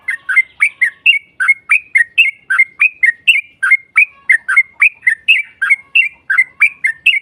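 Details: Yellow-vented bulbul used as a lure to make a rival answer: a run of lively chirped phrases, each rising then falling, repeated briskly and evenly for over seven seconds.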